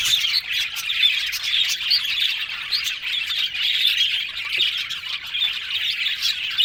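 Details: Happy yellow budgies in a noisy group: scratchy squawks and quick chirps run together into a continuous warbling chatter, with brief louder notes bursting out every second or so.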